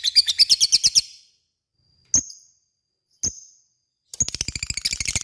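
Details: Lovebird ngekek used as a lure so other lovebirds answer: a short burst of fast, high rattling pulses, two sharp isolated chirps after a pause, then the rapid rattling trill resumes.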